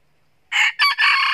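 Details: Wild red junglefowl rooster crowing very loudly ahead of a fight with a rival during trapping; a loud, hoarse, three-part crow after a short silence, the phrases clipped by brief breaks.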